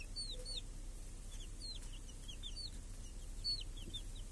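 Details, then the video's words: Chicks with a hen grazing under a cage that guards them from crows and hawks, clear summer day in a village; dense high peeping, quick rising-falling notes several per second, over steady low hum. "Chickens and hen in the village | Sounds with chicks on a clear summer day"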